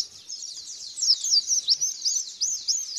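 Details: Lure recording of white-eye song: hurried, high-pitched warbling twitter of squeaky slurred notes, louder and denser in the second half, no other sounds.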